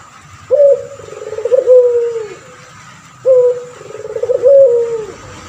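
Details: Male turtle dove of the puter pelung kind in full voice, used as a tutor for other birds. Low cooing phrases repeat twice, each with an abrupt onset, a throbbing middle section and a smooth descending tail.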